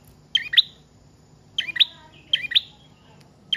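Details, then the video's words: Prinia song for luring and for tutoring cage birds: three spaced bursts, each a pair of sharp, high chirps, separated by short silences. "Prenjak Trotol/Paot Gacor Panjang Cocok Buat Pancingan/Masteran Burung Anda"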